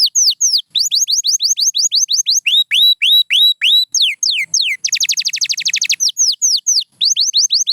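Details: Pure white canary singing a lively song: series of bright, downward-slurred whistled notes repeated several per second, broken by a rapid buzzy trill near the middle, then more falling whistles.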